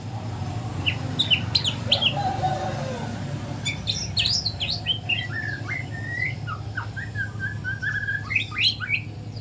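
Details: Juvenile white-rumped shama practising its song in the morning. Scattered short high chips and sharp notes give way to a looser warbled sequence over a constant low drone.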